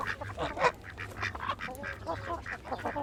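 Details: Chickens in an outdoor coop give a busy run of short, rough clucks and nasal honking notes, several overlapping and repeating rapidly throughout, with a low steady hum underneath.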